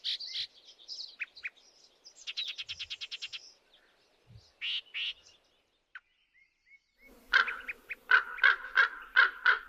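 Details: Yellow-breasted Chat calling from a riparian area edged by junipers in hot, dry high desert along the North Fork of the Malheur River, Oregon: harsh chatters, rapid rattles, clucks, soft whistles, loud repeated chut notes.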